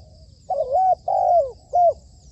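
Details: Spotted dove used as a trapping decoy, uttering a brief soft coo sequence: a looping hoot, a long falling note, then a short final coo, over faint high twittering.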